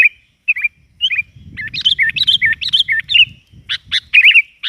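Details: Lively gacor lure sound of a sooty-headed bulbul (kutilang): scattered short chirps, then a rapid series of hooked, bubbly whistled notes, followed by sharp clipped calls, over a faint low rumbling background.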